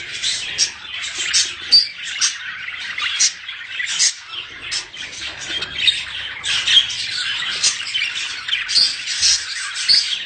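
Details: Breeding-stimulation chatter of budgerigars: long run of high, buzzy, squawking warble notes in quick bursts, with occasional thin whistles, several birds calling together.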